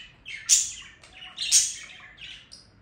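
A budgerigar warbles in scratchy, chattering bursts, with two louder squawky notes about a second apart amid softer chirps.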